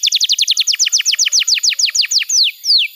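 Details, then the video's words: Canary masteran song for teaching young birds: a rapid run of about twenty sharp, downward-sweeping high notes, slowing at the end into two longer falling whistles. "Masteran Kenari PAUD & Pancingan Kenari MACET BUNYI"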